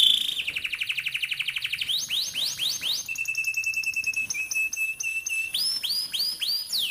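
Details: Canary training song for young birds learning to sing: a fast buzzy trill, then downward-sweeping whistled notes, a steady pure tone, and more repeated sweeps, all high-pitched and rolling.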